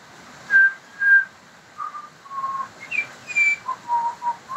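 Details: Pied butcherbird song of clear, flute-like whistled notes. Two strong, level whistles open the phrase, then a run of shorter notes that step up and then fall lower, delivered at an uneven pace over a faint background hiss.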